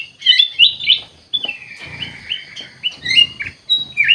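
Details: Kutilang emas bulbul singing: a few sharp chirps followed by a long series of gliding whistled notes stepping downward, then more quick chirps, over a faint rumble.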